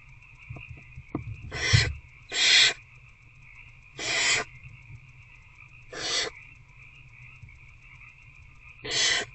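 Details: Nighttime barn owl nest box, 19 February 2024, an adult bringing a rat to an older owlet: bumping and rustling, then five short, noisy hissing screeches spaced about one to three seconds apart, over a continuous thin electronic tone.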